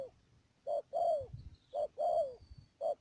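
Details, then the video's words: Spotted dove decoy, trapping bird from Mương Điều, Đầm Dơi, Cà Mau, 12 March 2019: two paired phrases, a short soft coo followed by a long falling coo, with light rustling and a thin high tone. "BẪY CHIM CU GÁY CÀ MAU .BỔI MƯƠNG ĐIỀU"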